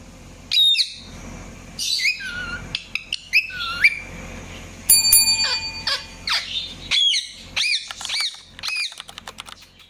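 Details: Varied chirping from an Indian ringneck parakeet: sharp upslurred calls, scratchy squawks and a run of arched chirps, with a brief steady electronic-sounding beep midway.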